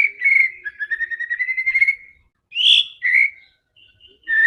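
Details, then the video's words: Combative white-rumped shama song for provoking other birds: a long run of quick repeated whistled notes, followed by separate sharp rising whistles and a clear steady whistle after brief silences. "MURAI BATU GACOR‼️ SANGAT FIGHTER DAN GANAS UNTUK PANCINGAN MURAI ANDA"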